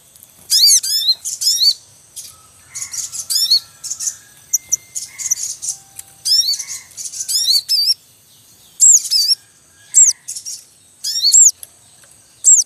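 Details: In a wild Javan munia nest scene with chicks and a calling male, a noisy chorus of repeated high squeaky arched notes, with softer lower whistled tones threading between, busy and restless throughout.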